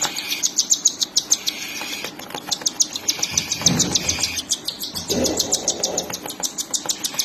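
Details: Mother cockatiel feeding her chicks, which keep up a rapid series of high, clicking chirps at about three per second, with brief low rustling thumps partway through.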